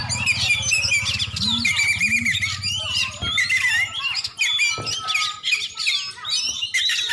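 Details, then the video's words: Oriental magpie-robin, a champion bird from Aceh, Indonesia, delivering a busy stream of sharp whistles and chattering notes. Two short low swooping sounds and a few knocks are heard beneath. "Kacer juara"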